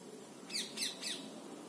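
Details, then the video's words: Indian ringneck parakeet giving three short, harsh, high squawks in quick succession against a faint background hiss. "Natural Sound of Indian Parrot | Indian ringneck parakeet | Parrot voice"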